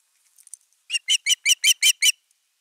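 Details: Osprey at nest #3, 31 August 2021, defending the nest. A few faint, soft notes, then seven loud, clipped, whistled cries in quick succession, about three per second.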